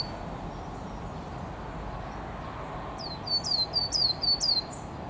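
A coal tit sings a quick run of about four high, two-part notes, each sliding sharply down, over a steady rushing background noise.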